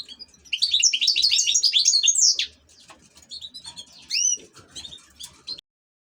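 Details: European goldfinch kept as an ornamental bird, giving a short loud burst of high twittering notes, then softer scattered chirps and a few clear whistled notes before falling quiet.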